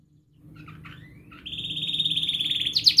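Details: Canary used to teach young canaries to sing: faint soft twitters and a thin rising whistle, then a steady buzzy trill that grows louder and ends in sharp falling notes.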